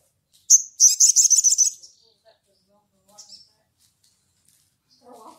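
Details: Sunbird giving the energetic ngleper call toward a rival: a sharp chip opens a rapid buzzing trill of about one second, followed by quiet scattered notes and a faint low chatter at the end.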